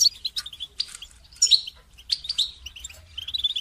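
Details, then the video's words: Singing goldfinch used as training material for songbirds, delivering a fast, liquid chatter of high twittering notes and short buzzy flourishes with barely a pause. "goldfinch song training"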